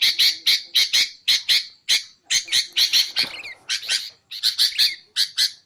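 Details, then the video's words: Sooty-headed bulbul sounds used to lure wild bulbuls and to train songbirds: a run of harsh, buzzy chattering notes in quick bursts with short pauses, and a few smeared notes near the middle. "BURUNG KUTILANG untuk ocehan mantab"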